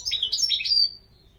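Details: European goldfinch delivering a single rapid, tinkling phrase of about one second, made of bright twittering notes that slide downward at the end and then stop.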